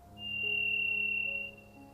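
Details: Varied thrush in shady Pacific temperate rainforest gives one long, steady, high whistled note lasting over a second then fading, its eerie single-note whistle echoing through the forest, with faint low background tones beneath.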